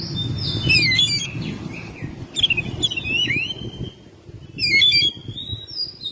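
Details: Energetic song of a home-kept Oriental magpie-robin in May: bright chattering bursts mixed with clear sliding whistles, set against low rumbling background noise that drops away midway.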